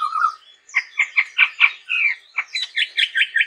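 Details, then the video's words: Chestnut-rumped babbler actively calling: a low wavering note, then rapid rasping chatter notes in quick succession, a drawn harsh note, and more chattering bursts. "SUARA BURUNG TEPUS TUNGGIR MERAH GACOR YANG UNIK"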